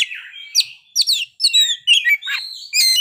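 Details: Oriental magpie-robin in full song, unloading its learned fill-in phrases: a burst of sweet, rising and falling whistles and bright chirps in quick, separate phrases.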